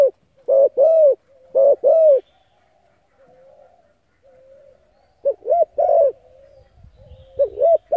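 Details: Spotted dove coos played to lure and excite decoy birds: two quick groups of hollow paired coos, a soft hum-like pause, then more rounded coos resuming near the end.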